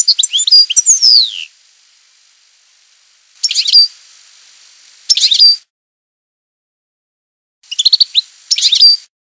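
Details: Goldfinch (European) singing campero style in several short, separate phrases of liquid twitters and quick downward slurs, each under a second or so, with pauses between them.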